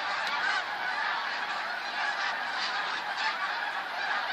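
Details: Massed calling from a huge flock of snow geese on 28 February 2013, an unbroken clamour of barking honks layered thickly together for the whole stretch.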